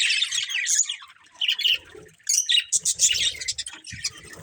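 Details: Budgerigar breeding pair chattering: harsh warbled chirps with a few clear whistled notes, then a run of short evenly spaced squeaks over soft low background knocking.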